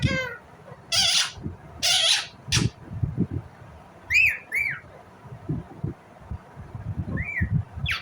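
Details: Indian ringneck parrot calling with loud, rasping screeches in quick succession, then several shorter arched, squeaky notes, over low background knocks and rumble.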